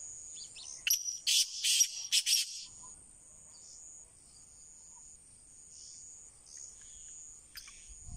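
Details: Black francolin, known locally as kala teetar, utters a rough, scratchy phrase of five or six quick rasping notes lasting under two seconds. A continuous thin high whine runs behind it, with one brief click near the end.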